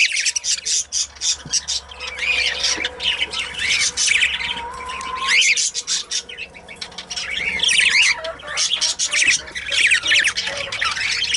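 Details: Two pet budgerigars chattering, a busy stream of squawks, chirps and warbled high notes, rising and falling, with brief pauses and a short whistled note midway.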